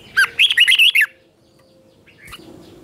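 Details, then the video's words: Red-whiskered bulbul giving a morning training song in the lively 'chè' style: one quick phrase of bright, bouncing whistled notes lasting about a second, followed by a short single note after a pause, over quiet background. "Luyện chào mào hót sáng 2024, QUÁ HAY - CHÉ KÍCH BỔI CĂNG ĐÉT, luyện chào mào hót căng lửa"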